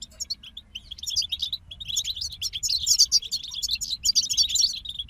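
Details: Lively goldfinch group song: a near-continuous stream of high, tinkling twitters and sweet chirps that grows denser and louder toward the end.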